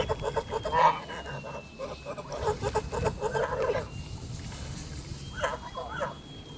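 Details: Young male Kholmogory goose, white, nearly three months old, at a farm on 20 August 2017; a cluster of nasal honks early, then scattered softer calls and a final short honking burst.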